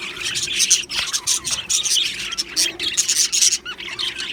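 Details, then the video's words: Happy Australian budgie colony in an aviary: continuous chattering of many birds, sharp chirps and squeaky warbles over a constant busy chorus, with short bright notes popping out. "Australian Budgie birds Chirping Sounds | Budgie Sounds for lonely Budgie birds | Happy Budgie bird"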